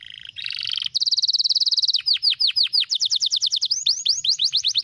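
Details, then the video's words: Canary in energetic, fast, tight 'gacor speed rapat' singing: a buzzy rising opening, a long rapid trill, then series of swooping downslurred notes repeated several times per second, shifting between tours of different pitch. "Kenari gacor speed rapat"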